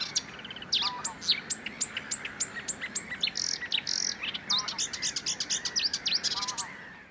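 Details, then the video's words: Marsh warbler singing at Het Vinne, Zoutleeuw, Belgium, May 2024: a rapid, continuous medley of high chirps, trills, sharp clicks and brief buzzy notes, with lower rattling phrases inserted now and then, all over faint background hiss. "Rousserolle verderolle (Acrocephalus palustris) Marsh Warbler"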